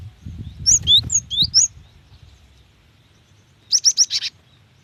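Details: Cinereous tit female calling for a male: fast, high, sliding chirps in two quick pairs, a pause, then a tight burst of four rapid buzzy notes; faint low noise underneath at first.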